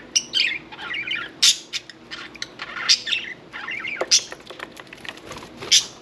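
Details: Pet budgerigar bathing indoors keeps up a busy warbling chatter of buzzy, fast notes broken by sharp high clicks and squeaks, in continuous uneven bursts.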